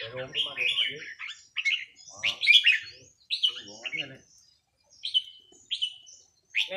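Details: A red-whiskered bulbul in a training session on a free day sings short bursts of clear, slurred whistles, each phrase rising then dropping. A man's voice talks low beneath the opening phrases, and pauses separate later notes.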